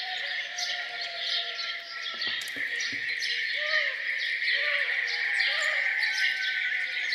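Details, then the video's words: Morning birdsong around a farmhouse, many birds chirping rapidly together over a constant high hum, with a few short low whistled slurs and brief knocks midway. "Relaxing sound of birds singing down on the farm"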